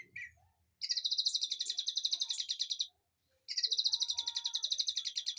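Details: Birds in an aviary singing as tutor material for a white-rumped shama: two long, fast, even buzzy trills, each about two seconds, separated by a short pause, with a faint low whistle.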